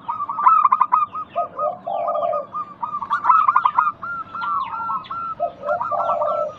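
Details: Many local zebra doves in a calling lure meant to make lazy doves sing: rapid, clipped cooing trills and lines of repeated coos mix with low, breathy phrases. Scattered thin, falling chirps come from other birds.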